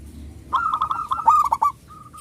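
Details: Local zebra dove with a big voice, a lure to stir other doves to sing: a burst of warbled, rolling whistles ending in two short clear notes.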